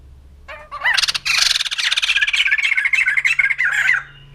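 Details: Poksay jambul putih, the white-crested laughingthrush, opens with a couple of rising notes and breaks into a sustained, dense, harsh cackling chorus lasting about three seconds.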